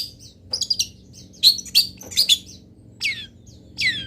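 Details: Local long-tailed shrike filler song used as training material: varied chirps, buzzy notes and clear downslurred whistles in irregular bursts, with a faint low hum behind.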